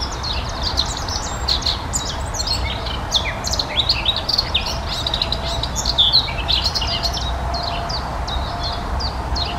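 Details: Eurasian blackcap (Sylvia atricapilla) song: a fast, busy warble of high chirps and short fluty notes over a steady low rumble of background noise.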